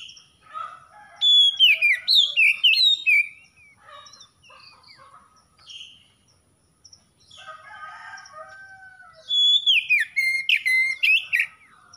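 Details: Magpie-robin song: bursts of loud, varied whistled phrases with sweeping slurs and rapid chattering notes, separated by quieter gaps of softer twittering.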